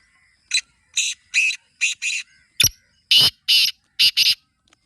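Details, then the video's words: Kala teetar, the black francolin, calling twice in succession. Each phrase is a run of grating, raspy notes with a stuttering paired ending. A sharp click-like note separates the two phrases. "Kala Teetar Awaaz Kholne Ka Tarika | Black Francolin Calling Formula"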